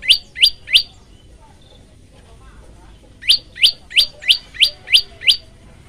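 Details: Male yellow-bellied prinia singing energetically, a recording used as a lure and tutor for other prinias: sharp, high, chipping notes, three quick ones, a pause, then seven more at about three per second, over quiet background.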